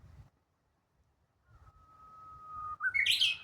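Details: Japanese bush warbler singing in May 2025 at Kashiwanoha Park: a long, thin, steady whistle slowly swelling, then a quick, loud, slurred flourish at the end; quiet background.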